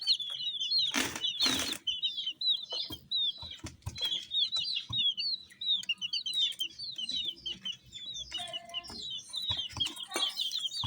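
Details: A flock of colour-dyed chicks chirping: many thin, high, falling peeps overlap steadily, broken by two loud rustling bursts early on and faint low tapping.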